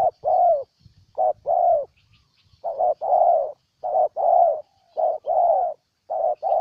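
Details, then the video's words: Spotted dove in Ninh Thuận, Vietnam, giving clear, loud, hollow coos: paired phrases of a short note followed by a longer slurred coo, repeated about once a second, over a quiet background. "Cu Gáy Ninh Thuận"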